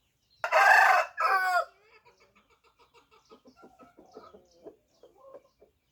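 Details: Rooster giving a loud, harsh, two-part call lasting about a second. A run of soft, uneven clucks follows, repeated roughly every half second and fading out.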